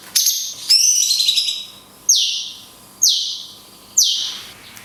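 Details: Cungkok in the 'tembakan kunti panjang' song style, recorded as a tutor for other songbirds. It opens with a rich warble, then gives three high downslurred whistles about one second apart over a faint hum.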